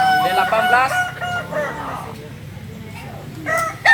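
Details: Crowing of a Kokok Balenggek cock from Solok in West Sumatra: a rapid chain of short stepped syllables over two seconds, a quiet pause, then fresh notes start; low background hum.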